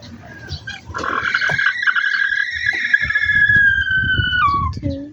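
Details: A chicken from a backyard flock gives one long, harmonic, crow-like call of about three and a half seconds. It holds steady and then drops sharply at the end, over low rumbling background noise.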